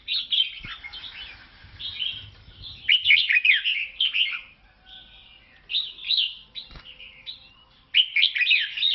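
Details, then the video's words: Red-whiskered bulbul from Laos with loud, clear warbled song phrases, slurred up-and-down whistles bunched into rapid sequences, separated by brief gaps, plus a faint low thump or two. "เสียงนกกลงหัวจุกลาว แววดี"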